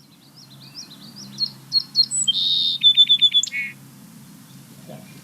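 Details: In late February, a Song Sparrow sings as a sign of spring: a bright phrase of clear notes, a buzzy burst, then a quick dry trill.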